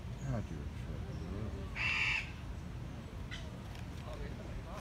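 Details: At the San Diego Zoo, a captive Andean cock-of-the-rock makes a bizarre, puppet-like sound: a single harsh, buzzy squawk near the middle, with faint murmuring voices and low hum around it.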